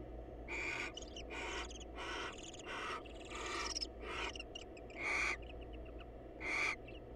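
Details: Wild barn owls at a monitored nest box as a female visits the male to say hello: a rapid series of about nine loud rasping screeches, some overlapping with softer clicking chatter, over low hum.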